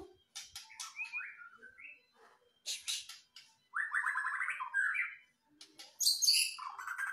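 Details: White-rumped shama in lively song: varied phrases of sharp clicks, fluty slurred notes and a fast rattling trill, ending with a very high, thin whistled flourish.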